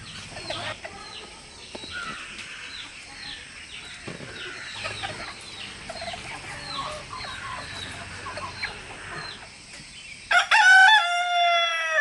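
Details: Rooster, one of three roosters with their hens, crowing as communication between them; about ten seconds of scattered clucks and chatter, then a loud harmonic crow bursts in near the end and continues to the close.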